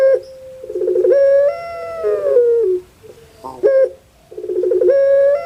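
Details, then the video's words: A kept puter pelung dove sings a stuttered lead-in followed by a long, level, crying-like coo that slides downward, repeated after a pause with quick clipped notes between. "KAGET PARAH DENGAR SUARA BURUNG INI SEPERTI ANAK MENANGIS"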